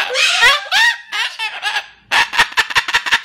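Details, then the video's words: Bird voicing disapproval of a cardboard house through strange noises: several harsh, wavering squawks with bending tones, a brief pause, then a burst of sharp clicking, chattering notes. "Bird Shows Disapproval of Cardboard House by Making Strange Noises"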